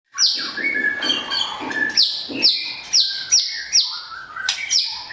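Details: Blorok white-rumped shama, a form with patches of white feathers on the face, body, wings or tail, singing loud whistled phrases: repeated high sweeping notes that fall sharply, mixed with lower warbles and short rising whistles.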